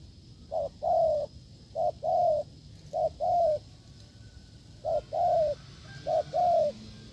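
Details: Spotted dove in the wild, cooing firmly during a decoy test in the 'gù lợi cốt' manner. Five mellow two-note phrases, a short lead note then a longer slightly descending coo, with a longer gap midway.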